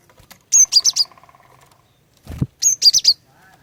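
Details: Female cinereous tit luring males to sing, repeating a high four-note chirped phrase twice within three seconds. A low rattling pulse trails the first phrase, and a dull thump falls between them.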